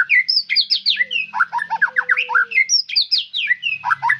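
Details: White-rumped shama in a fast, energetic song of rapid swooping whistles and chattered note groups delivered almost without break.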